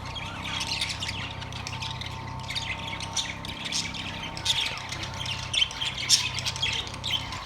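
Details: Softer, ongoing chirps and squawks from caged budgerigars, September 3, 2023, with a few sharper notes toward the end over a steady low hum.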